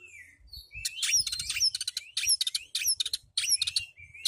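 An Oriental magpie-robin sings a fast, varied stream of bright whistles, sharp chirps and buzzy trills, packed into quick bursts with hardly a pause.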